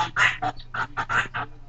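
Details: Thirteen-year-old male pet Goffin's cockatoo chattering in what is called his own foreign language: a quick run of about eight harsh, nasal, speech-like syllables with a steady low hum underneath.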